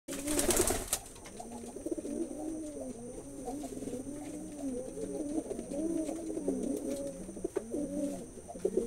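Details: Several pigeons cooing together indoors: overlapping low, throaty, rolling coos that swoop up and down, repeated continuously. A sharp broadband clatter opens the first second, with a steady high hiss throughout.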